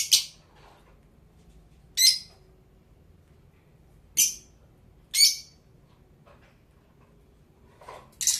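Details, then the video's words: Fischer's lovebird of the blue variety repeating loud, scratchy, high chirps, one every one to two seconds, five or six in all, against a quiet indoor background. "Lovebird Parrots Chirping Sound (Blue Fischer)"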